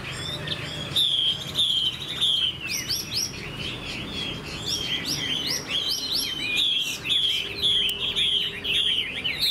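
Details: A newly caught wild Chinese hwamei, this year's bird still in wild plumage and about 80% tame, sings a loud, rich run of high, slurred whistles and quick repeated phrases almost without pause over faint hiss.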